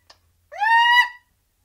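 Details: Single parrot kept in a cage, chattering sporadically: one drawn-out harmonic squawk that rises briefly and then holds steady for about half a second, preceded by a faint short click-like note.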